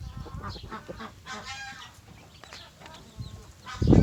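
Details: Chicken crowing in the morning: a loud harmonic, drawn-out call rises mid-clip amid softer clucks and scattered farmyard noises, ending with a loud low thump.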